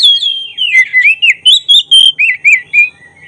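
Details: Black-breasted oriental magpie-robin (kacer dada hitam) in full song, used as a lure to provoke emotion and tail-spreading. Rapid series of loud, clear whistled notes that slur up and down, about four per second, with a long descending opening whistle.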